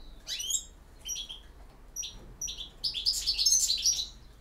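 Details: A European goldfinch gives campero song. Short downslurred high notes and separate chips build into a loud, dense, jangling twitter at the end. Soft low hum throughout.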